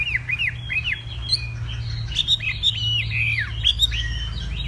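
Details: Hwamei of the Tây Bắc (northwest Vietnam) type, singing in a contest-style morning voice-training session: loud, rapid whistled phrases of arched and downslurred notes, varied and continuous, over a steady low indoor hum.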